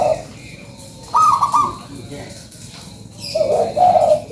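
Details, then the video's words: Local zebra dove calling actively, used as a lure sound: a lone high, rippling coo, a quiet pause, then lower, warbled coo notes in a short burst. "SUARA PANCINGAN PERKUTUT LOKAL GACORRR"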